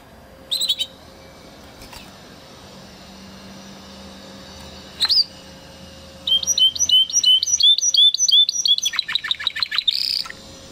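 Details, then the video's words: A Spanish Timbrado canary from 2020 breeding sings a training song. A few isolated chirps lead into high, rapid chirping phrases that run into fast falling trills and a brief buzzy roll. "Canary training Song"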